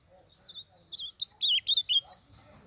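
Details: Northeastern Brazilian azulão, the blue-black grosbeak, delivering a short rich song. Soft opening notes lead into loud sliding whistles that twist down and up in quick succession, about two seconds long, with a near-silent background.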